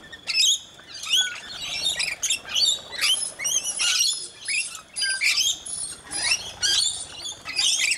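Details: Noisy flock of rainbow lorikeets (Trichoglossus moluccanus) being hand-fed at Mt Gravatt, Brisbane, Australia, with one scaly-breasted lorikeet among them; shrill, screechy squawks and high twittering overlap in bursts about every second.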